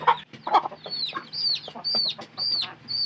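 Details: Chicken sounds: two low clucks at the start, then high, thin, arched peeps repeated about twice a second in a steady run.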